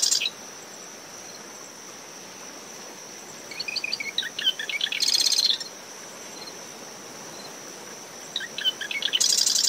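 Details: Marsh wren songs at dawn from dune vegetation beside a nest, recorder ten meters from the high tide line: the tail of one rattle, then two full songs of chattered notes ending in fast high buzzes, with cricket and wind-blown waves.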